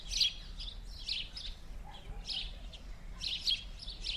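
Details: Winter house sparrows in Verdun, Montréal, mid-January 2016, calling in short harsh chirps: a burst at the start, scattered notes, then a louder cluster near the end, with low background rumble.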